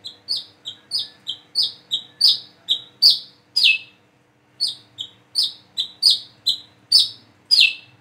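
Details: Plain-throated sunbird, one bird learning to sing and to call its 'wiceh', giving about seventeen sharp high chirps in quick pairs, a short note then a longer downslurred one, with a pause near the middle.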